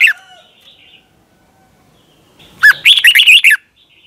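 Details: Red-whiskered bulbul song from Thailand, played so caged birds learn the doubled style. After a brief note and a quiet stretch, one lively phrase of rising and falling whistled notes lasts about a second.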